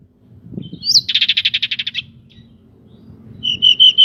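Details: Local pied bushchat, a lively singer with wings spread, used to provoke other birds into singing: a high rising note, then a fast rattling trill of about a dozen pulses, with clear whistled notes returning near the end.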